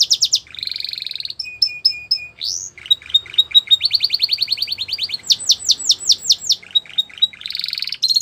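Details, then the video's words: Canary song used for training young canaries, in the Russian and Belgian canary style: fast varied phrases of high trills, rapid repeated notes, steady held tones and sweeping buzzy rolls, loud and clear throughout. "Canary Training Song | Russian Canary | Belgian Canary"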